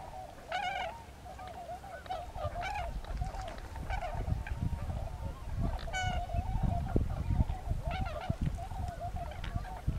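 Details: Tundra swans at Lake Mattamuskeet on 13 January 2013: scattered bugling hoots from a flock, partly overlapping, over strong low wind rumble.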